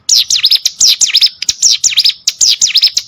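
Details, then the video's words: Training recording of a hill prinia for competition songbirds, with loud, piercing whistled notes, each sweeping down then up, delivered in fast bursts of three to four with brief gaps. "CIGUN ATAU PRENJAK GUNUNG!!! MASTERAN UNTUK BURUNG LOMBA"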